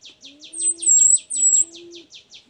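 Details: Orange-headed thrush song, played as a lure to get a reluctant kept bird singing: a fast run of about a dozen short descending chirps with high thin whistles above, over a steady low drone.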